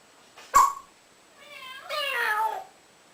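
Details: Male African grey pet parrot, known for copying cats, dogs and ducks, makes a sharp click followed by a rising then falling meow-like wail lasting about a second, in a quiet room.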